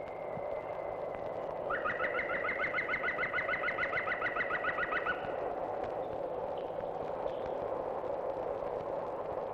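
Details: Green woodpecker, nesting on farmland at East Farm, Hammoon, in the 1970s, giving its ringing, laughing yaffle: about sixteen quick, even notes over three seconds, over steady background hiss.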